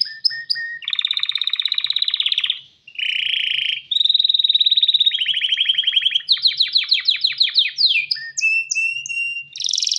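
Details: A breeding-ready male canary calls to a female with a varied, tuneful song: short whistles, dense buzzy rolls, then a series of quick descending sweeps and bright upslurred notes, with a short gap near three seconds.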